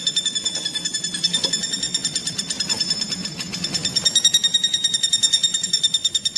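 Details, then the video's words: Rapid series of nasal, high notes from a common flameback (pelatuk bawang), played to train kacer and other songbirds, steady at about seven notes per second with slight swells in loudness. "BURUNG PELATUK BAWANG MASTERAN"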